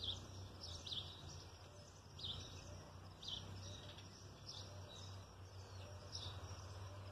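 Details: Red-cowled cardinal singing: short, bright chirped notes in small clusters, repeated about once a second at a steady pace over a constant low rumbling hum.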